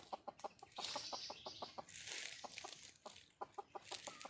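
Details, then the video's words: Wild red junglefowl hen calling for a male: rapid, irregular series of short low clucks, about three per second, with bursts of rustling noise between them. "le bruit d'une poule sauvage,เสียงไก่ป่าร้องหาถู่หาตัวผู้,ສຽງໄກ່ປ່າຮ້ອງຫາຄູ່ຮັກ, poj qaib qus see"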